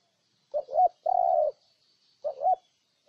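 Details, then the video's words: Spotted dove from Ninh Thuận cooing: a quick two-note hooting phrase, then a long, steady low coo, followed after a pause by another two-note phrase. Background is otherwise quiet. "Cu Gáy Ninh Thuận"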